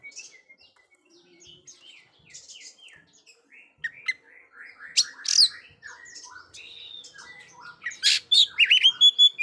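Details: Oriental magpie-robin song for teaching silent young birds: a softer stretch of rapid, quiet twittering notes building into louder sharp whistles and chattering bursts near the end.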